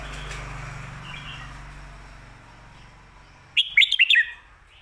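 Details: Red-whiskered bulbul singing a 'stir-fried noodles' or 'shaking bottle' style phrase for teaching pet birds at home: after several seconds of low background hiss, one short, rapid run of clear whistled notes.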